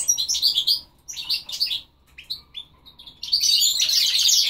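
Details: Goldfinch and linnet cross giving short bursts of sharp twittering phrases separated by brief pauses, ending in a long, dense, rapid warble.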